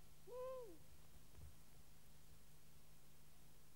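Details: A long-eared owl at its nest in Kielder, Northumberland, recorded by a placed microphone and infrared camera, gives one soft, hollow hoot that swells and fades in under half a second, over a steady low hum.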